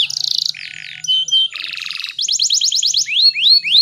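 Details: Female canary song used to stimulate males to sing: buzzy rolled tours at shifting pitches, a run of quick repeated high notes, then sharp rising whistled slurs.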